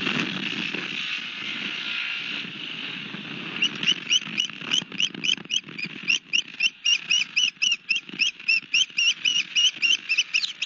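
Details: Osprey at a nest with a fish at Barnegat Light, Long Beach Island, New Jersey, 31 March 2021 around 18:53: after a hissy start, sharp high chirped whistles repeat steadily about four times a second.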